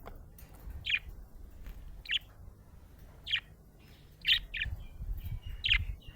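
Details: Budgerigar described as happy, giving crisp high chirps roughly once a second, some doubled, over faint low background hum.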